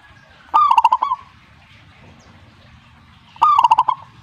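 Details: A zebra dove gives two stuttering cooing phrases close to three seconds apart, each a brief burst of evenly spaced, hollow low notes, clear against a quiet background.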